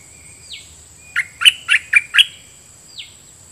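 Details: Decoy red-whiskered bulbul performing for wild birds: a single downslurred whistle, then five quick, loud chirping notes in a row, and another falling whistle, over a steady high electronic tone.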